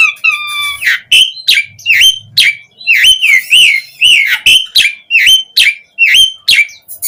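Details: Singing Asian pied starling, recorded as a lure for other starlings to respond: an opening flat whistled tone, then a steady series of sharp, squeaky, upward-hooked notes about twice a second.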